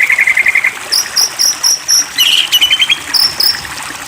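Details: White-rumped shama (murai batu) lure song used to provoke a bird into full singing: a rapid run of clear chirps, then quick series of high thin whistled notes and a buzzy mid-pitched trill, each phrase repeated several times.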